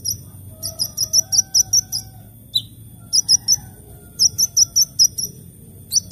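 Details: Sunbird in the morning giving very high, thin, rapidly repeated chipping notes in bursts of six to eight, separated by short pauses, with faint lower whistles in the background.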